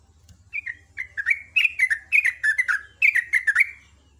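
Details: Morning song of a sooty-headed bulbul in ropel ngecruk style, a fast run of about a dozen clear, slurred whistled notes that rise and fall, growing louder midway, with a faint low hum beneath.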